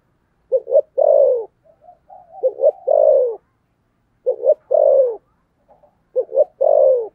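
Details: Spotted dove singing in the thổ sấm voice, thúc gù style. Low cooing phrases, each a quick double note leading into a long sliding coo, come three times with soft murmurs in between.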